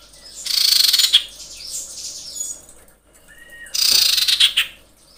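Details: Common iora female calling to males: two long, broad, raspy hissing bursts about three seconds apart over faint background chatter.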